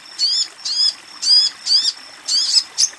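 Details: Calling female Crimson Sunbird directed at a male: six rasping, high chirps with a slight down-slur, spaced about half a second apart.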